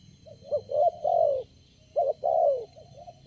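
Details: Spotted dove, lone bird responding to a decoy at a trapping location, gives two low cooing phrases, each a quick hoot then a long, smooth, falling coo, over a steady background hum.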